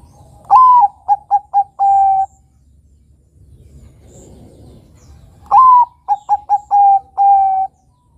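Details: Zebra dove, a young Bangkok-type perkutut, cooing twice as a lure sound: a rising first note, three short staccato notes, then a longer ending coo, all low and soft, with a quiet pause between.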